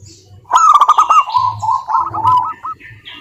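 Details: Zebra dove of a local wild strain singing as a lure for other doves: a loud burst of quick clipped coos, then a gently falling rolled trill, over faint low droning.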